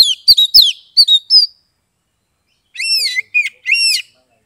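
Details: Oriental magpie-robin kept in a cage in Kebumen, Central Java, Indonesia, singing to stimulate mute birds: fast ringing whistled notes with sharp downslurs, a pause of over a second, then arched whistles repeated in quick succession.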